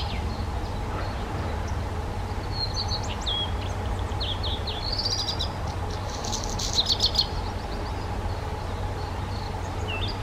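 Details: Black redstart (Phoenicurus ochruros) song: a short rising whistle, then a dense crackling rattle, among high scattered chirps, over a constant low rumbling hum.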